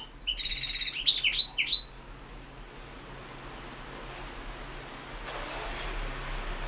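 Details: European goldfinch entered in the 2016 online World Championship in Goldfinch Song gives a short burst of high buzzy notes and sharp upslurred whistles for about two seconds, followed by quiet room noise.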